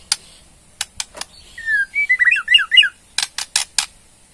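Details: Borneo white-rumped shama in ketrekan mode, aimed at drawing a response: spaced sharp clicks, a clear drawn-out whistle, a tumbling burst of slurred notes, then four loud dry rattle strokes.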